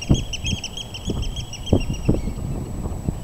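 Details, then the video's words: Eurasian oystercatcher calling a quick run of sharp, high piping notes that slow and fade toward the end, over low booming wind-like thuds. "meriharakan huuto"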